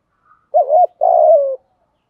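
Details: Spotted dove calling in the thúc gù style, a voice used to stimulate other doves: one short wavering low coo, then a longer burry coo that slides gently downward, with no other sounds.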